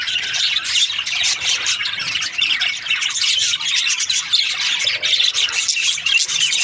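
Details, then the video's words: Budgies, also called parakeets, chirping during breeding season: steady busy chatter of many birds, scratchy squawks and twitters overlapping without pause. "Lovely budgies chirping sound parakeets breeding season"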